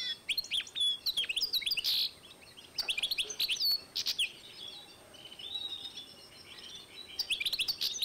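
A goldfinch-canary hybrid sings high, rapid twittering bursts of chirps and short trills, with brief pauses between phrases.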